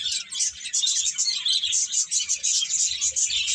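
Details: Short burst of constant, shrill bird twittering, many bright chirps crowding together at high pitch without pause.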